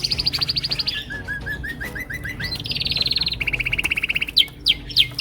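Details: Several male canaries sing to impress, each with his own song: a fast high trill of repeated notes, then a lower series of slurred chirps, a rapid buzzy roll and sharp upswept whistles, with a low steady hum beneath.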